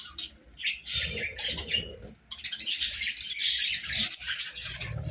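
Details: Pet budgerigars in the morning, chattering high chirps and warbles in bursts broken by short pauses, with soft low thumps beneath, likely flapping or movement.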